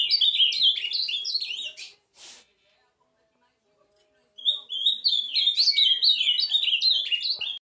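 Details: Ultramarine grosbeak giving a 'bike' song: a fast, chattering run of high warbled whistles, then a brief noisy rustle and a pause, then another long burst of quick, sliding, repeated whistled notes.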